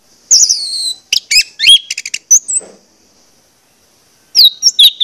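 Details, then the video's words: Orange-headed thrush song meant to trigger singing in listening birds. High descending whistles and rapid clicks at first, then a long quiet stretch before more sweeping high notes. "pancingan anis merah ini bakalan bikin gacor jika di putarkan"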